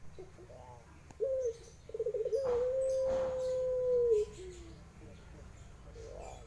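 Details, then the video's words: Low cooing from a Barbary dove, pelung guguk type: a brief throaty start, a quick stuttering roll, then one long smooth steady note lasting about two seconds and fading downward. "SUARA PUTER PELUNG GUGUK ENAK DIDENGAR"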